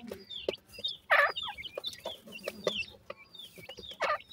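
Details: Several black francolin chicks, Sindhi and Dakhni types, feeding and playing: bright short downward chirps repeated irregularly, with louder clucking bursts near one and four seconds and soft rustling.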